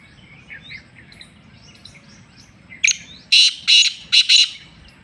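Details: Black francolin in Sindh, Pakistan giving its call: a burst of four or five loud, grating, ratchet-like notes in a rapid phrase, after soft twittering from small birds.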